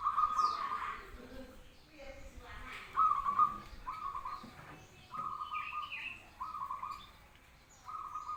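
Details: Zebra dove cooing calmly, its song called manggung; short, level, mid-pitched cooing phrases come roughly once a second, with faint talking and a few high chirps from other birds behind.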